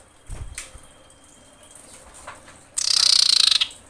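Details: Female common iora in breeding condition calling males: after quiet faint clicks, a loud harsh rapid rattle of dense buzzy pulses lasting almost a second.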